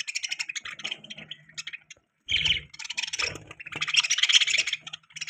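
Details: Pet budgerigar chirping: busy bursts of scratchy warbling chatter and twitters, broken by a short silence, then resuming with dense buzzy notes and soft low thumps.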